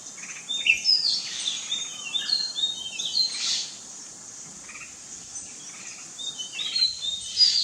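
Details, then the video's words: Jungle myna giving short, bright chirps and thin whistled notes in scattered bursts, some clustered near the start and end, over a steady high insect-like hiss. "Jungle Myna OR साळुंकी"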